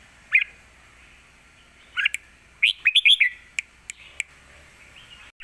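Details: Lak wai style song from a caged red-whiskered bulbul, a fierce full master phrase set used for teaching young birds: scattered sharp chirps, then a rapid run of four or five bubbling notes, then fading drawn tones.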